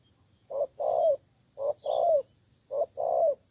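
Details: Decoy spotted dove in Cà Mau, Vietnam, calling against rivals: three evenly spaced phrases, each a short coo then a longer buzzy falling coo, over a quiet low background.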